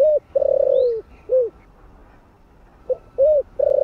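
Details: Spotted dove in the 'giọng thổ' voice style, used to lure wild doves: two four-note cooing phrases, each a short note, an arched note, a long wavering falling note and a short closing coo, with a pause between.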